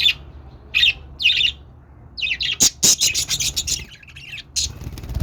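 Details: Budgerigar warbling chatter: raspy high phrases, then a rapid run of sharp clicking squawks and scratchy notes, closing with another raspy burst.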